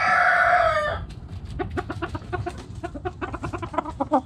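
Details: Backyard hens and roosters: the tail of a loud harmonic rooster crow opens, followed by dense, rapid clucking from several hens, irregular short pulses continuing to the end.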